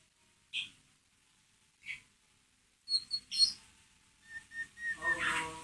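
White-rumped shama: two spaced chirps, then high whistled notes and a quick run of four clear notes, ending in a harsh, buzzy chatter.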